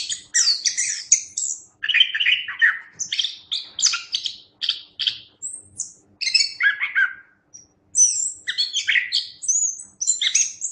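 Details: A Chestnut-capped thrush delivers a rich, fast run of chirps, trills and high whistled slurs in tight clusters, with short breaks around the middle and near the end.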